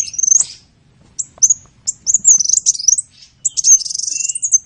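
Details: Sunbird song used as a tutor for training songbirds: very high, thin twittering phrases, bursts of rapid sharp chirps and sweeping notes, separated by short pauses and building into a longer dense trill near the end.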